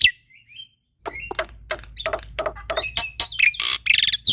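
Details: Varied song of a male black-winged myna, played to teach young starlings and spur lazy birds to sing: a brief rising whistle, a pause, then a rapid jumble of chattering, scratchy and whistled notes.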